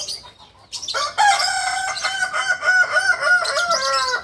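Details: Kukuak balenggek rooster, a native breed from Solok, West Sumatra, gives a long harmonic crow after a short quiet start. The crow is broken into many stepped, wavering segments and holds for about three seconds.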